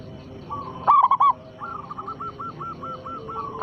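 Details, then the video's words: Local zebra dove used as a lure to make other doves sing: one loud, quick, bubbling coo phrase, followed by another dove's faint, evenly spaced run of soft coos. "perkutut lokal gacor suara besar pancingan sekali putar pasti langsung nyaut"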